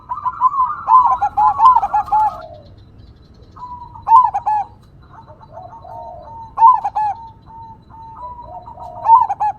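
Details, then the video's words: Crossbred zebra dove (perkutut), actively singing in a big-voiced single-phrase style over a natural-ambience background. Mellow, slightly trilled coos around mid pitch with lower trailing notes: one long phrase, then shorter phrases about every two and a half seconds. "PERKUTUT CROSSING GACOR SUARA BESAR, vokal engkel"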